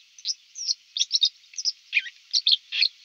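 White-throated dipper song: a rapid run of high, scratchy warbled phrases and short trills, delivered in quick bursts with a few lower grating notes.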